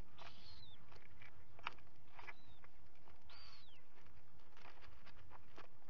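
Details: On a live camera at a common guillemot breeding ledge on 27 June 2020, two chicks hatch; three thin, high, whistled notes curve up and then down, with the last one the loudest, among soft tapping and a constant low rumble.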